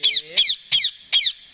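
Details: Rose-ringed parakeet talking: four harsh, speech-like squawked syllables, evenly spaced about every 0.4 seconds, the first with a lower rising tone beneath it.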